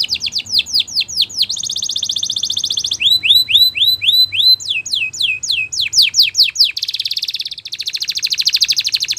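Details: Spanish Timbrado canary training song in quick tours: descending sweeps, a bright trill, repeated arching whistles, more steep sweeps, then a long rolling buzzy trill to the end.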